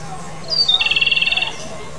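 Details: Japanese robin, a bird breeding in Japan and wintering in southeastern China: a high whistled note slurs down into a rapid rattling trill of about fourteen pulses, against a quiet background.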